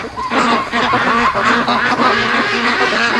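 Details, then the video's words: Young ducks raised at home, 73 days old, calling at 3 a.m. at night: a dense, continuous chorus of overlapping nasal quacks and chattering calls from many birds, with no pauses. "3:00 AM They Don't Really Sleep At Night I Wish They Did Though #57 Raising Ducks Day 73"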